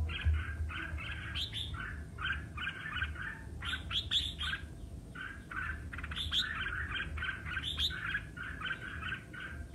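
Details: Red-whiskered bulbul singing in competition, with dense runs of liquid, chirping whistles that rise and fall in quick, jumbled phrases almost without pause, over a constant low rumble.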